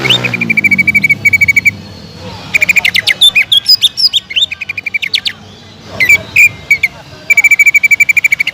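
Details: Greater green leafbird giving fiery song to rouse other leafbirds, mixing steady rattling trills with varied sharp whistles; a faint low hum underlies the start.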